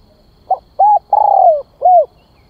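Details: Spotted dove used as a lure bird, calling to draw in others. One mellow cooing phrase: a short note, a rounded coo, a long purring coo that slides downward, then a final rounded coo. The background is quiet.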